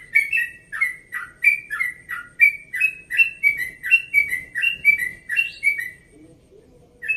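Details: Yellow-vented bulbul from Bekasi, 1.5 years old, delivering its rapid 'ropel' song in a relaxed tone at first light: a rolling series of liquid whistles, about three each second, then a short pause before one last note.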